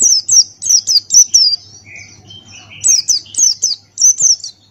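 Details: Male Buxtoni white-eye in full ngalas master song: a rapid string of high downslurred whistles, a brief lower warbling interlude, then another fast run of sharp falling notes.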